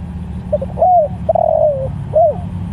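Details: Tekukur, the spotted dove, calling other doves with a single phrase: two brief soft notes, a rising-falling hoot, a drawn-out sliding coo and an arched final note, over low hum.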